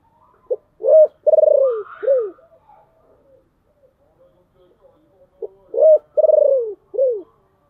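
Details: Decoy spotted dove with a deep, husky voice calling to lure wild doves, delivering two identical coo phrases about five seconds apart: short note, hoot, long pulsed throbbing coo, falling end note, with faint murmuring between.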